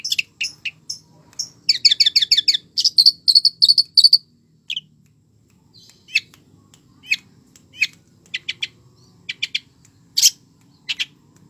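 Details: Active long-tailed shrike song with a rich fill-in repertoire. Rapid high chattering trills open the song, followed by scattered sharp, clipped chirps at irregular intervals.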